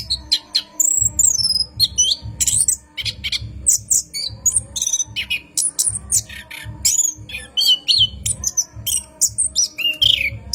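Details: Orange-headed thrush singing at night in a long rolling run, a lure for cage birds: rapid twitters and whistled slurs over a steady pulsing low thumping background.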